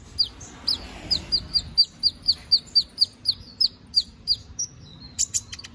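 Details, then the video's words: Canary delivering gacor ngobra song meant as a training master for magpie-robins: a steady series of about a dozen falling whistled notes, roughly two per second, ending in a brief cluster of higher chirps. "Suara BURUNG KENARI GACOR NGOBRA! Cocok untuk masteran"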